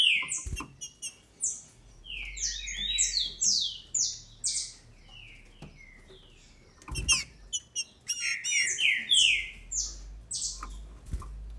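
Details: Caged female green-winged saltator in Brazil, her song used to drive males into singing: quick series of downslurred whistles, repeated in two long bursts, with clicks and knocks between.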